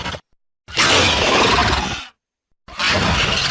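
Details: An angry condor gives harsh, breathy hissing roars: a short burst, a long rasping blast of over a second, then another after a pause, with no other sounds.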